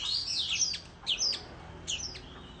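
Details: Oriental magpie-robin in the countryside, singing competitively with a tail-fanning display: a few high, sweeping whistled notes and short slurs, with quieter gaps between phrases.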